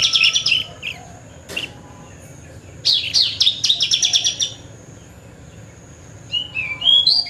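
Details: Song of a Horsfield's bush lark, a rare lark said to copy other birds' voices: a short high trill, a sharp click, then a packed run of bright chattering notes, ending with rising, slurred whistles after a quiet gap.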